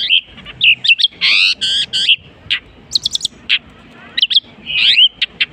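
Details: Long-tailed shrike in a mimicry song, alternating harsh, drawn-out buzzy rasps with quick high chirps, short trills and a rising whistled note, loud and close.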